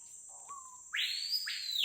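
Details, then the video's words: Wild Screaming Piha (capitão-do-mato, Lipaugus vociferans) in Amazon rainforest at Lago Amanã, Brazil: a quiet level whistle followed by two loud, ringing whistles that sweep sharply upward, with a constant shrill insect drone behind. "CANTO DO PÁSSARO CAPITÃO DO MATO"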